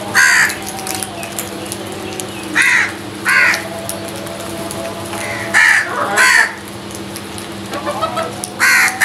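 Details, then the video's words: Crows fighting over food give harsh, loud caws in uneven bursts, about six calls spread across nine seconds, some in quick pairs, over a steady low hum and background noise. "Crows Fight for Food | Crows attack on food | Crows Sounds"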